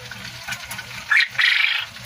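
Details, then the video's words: A male quail in the Philippines gives a short, harsh, buzzy call in two quick bursts, the second longer and rasping, over a low, steady background hum. "quail male sounds"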